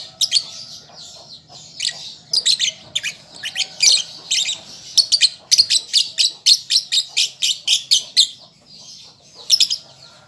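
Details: A young lovebird practising song gives a long series of sharp, clipped high chirps that quicken into a dense even run mid-way, then slow to scattered notes.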